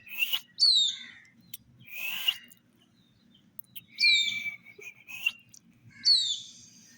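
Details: Colored chicks drinking water in summer make several high, descending peeps and a longer trilled note. Rustling, scraping noises sound between the calls.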